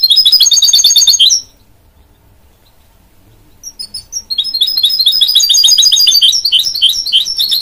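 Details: Goldfinch mule, a goldfinch-canary cross, sings a fast high trill that cuts off, falls quiet for nearly three seconds, then returns with scattered chirps building into a long, dense twittering run.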